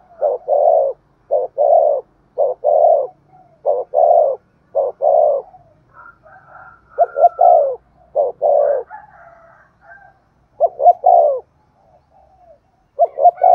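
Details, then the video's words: Decoy spotted dove cooing in the Vietnamese thúc gù style, meant to bring wild doves in quickly. Low paired coos, each a short note then a long one, are repeated, broken midway by a higher, thinner stretch of calls. "Tiếng chim cu gáy Thúc Gù bài bản rất sung và hay, bổi nghe nhanh về cội"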